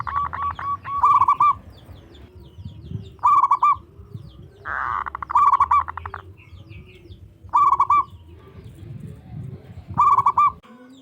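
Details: Local zebra dove, big and loud-voiced, singing to get rival doves calling: brief rolling phrases repeated every two to three seconds, with a low droning background and a broad rushing noise midway.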